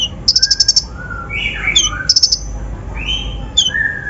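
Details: Brown-throated sunbird lure song with mimicked fill-ins for rousing other birds; quick high trills and downslurred chips mixed with lower sliding whistles and warbled notes.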